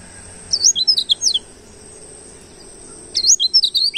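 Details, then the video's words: Oriental white-eye of wild stock (pleci ngalas) singing for use as a lure to attract white-eyes; two short bursts of high, quick slurred chirps separated by nearly two seconds of quiet. "masteran burung kicau pleci - suara burung pancingan pleci ngalas"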